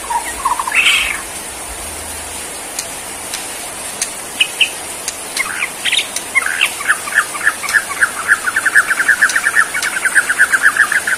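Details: White-rumped shama of Borneo singing in bowing 'sujud' posture: a few low whistles and high bursts, then an accelerating rattle of repeated short notes filling the last four seconds.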